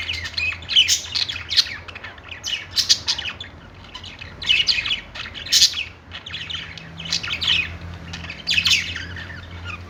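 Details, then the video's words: Pet-store budgerigars chirping and singing together: bursts of scratchy, squeaky warbling notes every second or two, separated by quieter gaps, over a steady low mechanical hum. "budgies singing on perch | parakeet chirping sounds in pet store"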